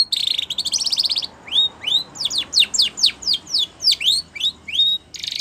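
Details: Training song of a Spanish Timbrado canary: opening buzzy trill, then a measured run of about a dozen sharp descending whistled slurs, ending in another brief buzzy roll.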